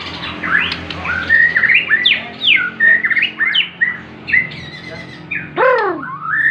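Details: Bornean white-rumped shama sings a varied run of clear whistled notes, rising and falling slurs and short phrases, with one loud descending-then-rising sweep near the end over low background hum.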